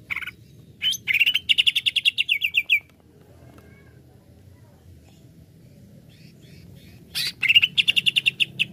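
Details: Greater green leafbird, shown as quick to become agitated and used to excite other leafbirds, giving a rapid chirping trill. A long quiet stretch follows before a second fast chirp series over a soft low hum.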